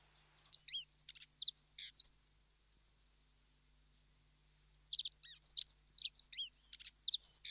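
A Dunnock gives two bursts of rapid, high, jangling warble, each about two seconds long, separated by a quiet pause.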